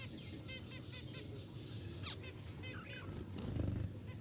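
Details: Budgerigars start chirping together in a morning chorus when the curtains are opened and sunlight comes in: quick, high, sweeping notes over a steady low indoor hum.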